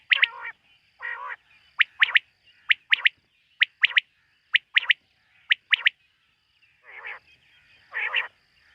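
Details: Night-time quail calls, tied to quail hunting. Short harsh bursts open and close a series of crisp whistled notes given in pairs and triplets at a steady pace, over a faint continuous tone.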